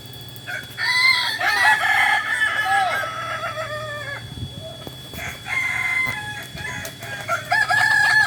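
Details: Kokok Balenggek rooster training with others at Ampang Kualo, Solok city, West Sumatra: a long multi-step crow of level and arched syllables lasting about three seconds, a pause, then more stepped crowing over a low hum.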